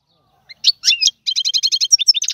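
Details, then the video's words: Goldfinch singing: a few scattered sharp notes, then an even series of about twelve rapid, repeated twittering notes ending in a bright chirped flourish. "تغريد الحسون طيواواطي"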